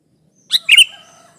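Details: Sooty-headed bulbul calling loudly as a lure for trapping, pressing a rival: a quick harsh note then a stronger buzzy double chirp trailing off, with faint background whistling.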